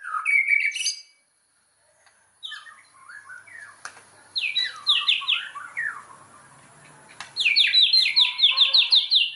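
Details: White-rumped shama lure song to provoke rival shamas into singing; a burst of notes, a pause, then quick descending trilled figures and a loud high rapid series at the end.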